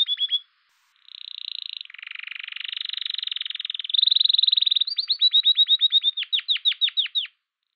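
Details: A male domestic canary sings its spring courtship song: a bright, high run of chirps, sustained buzzy trills and a fast series of sharp downslurred notes, with no other sounds.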